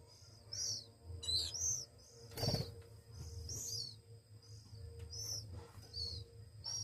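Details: One-week-old hand-fed Oriental magpie-robin chicks give scattered high squealing begging notes, with a loud thump or rattle partway through and a constant low hum.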